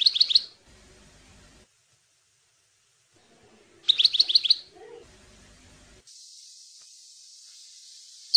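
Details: European goldfinch (maknin) song for training young goldfinches: short clusters of rapid, ringing chirps a few seconds apart, with steady background hiss and a final click.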